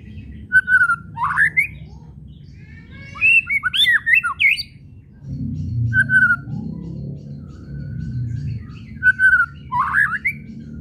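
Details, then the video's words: White-rumped shama whistles and chattering meant to provoke singing: flat whistled notes with twisting flourishes, a busy chattering passage, and a low background rumble in the second half. "SIULAN DAN KRETEKAN MURAI BATU BIKIN RIBUT"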